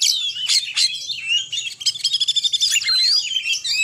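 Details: Oriental magpie-robin in full song, the ngekek style with short bursts: dense, fast run of high whistles, sharp chirps and rapid trills with quick rising and falling sweeps, almost without pause.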